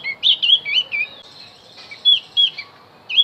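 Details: Javan white-eye singing as a lure for wild birds, a rapid run of bright, twittering slurred notes, then a pause and several more sharp chirps spaced about a third of a second apart.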